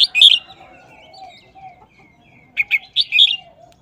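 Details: Red-whiskered bulbul kept in a cage, singing a brisk short wild-style phrase: clusters of bright liquid whistles, then a soft pause with faint thin notes, then another quick four-note burst.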